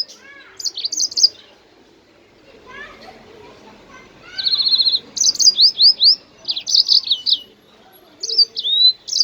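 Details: Jasmine bird song intended to stimulate singing in other birds: a short twitter, a quiet stretch with soft lower notes, then a buzzy trill followed by lively rising whistles and chattering phrases.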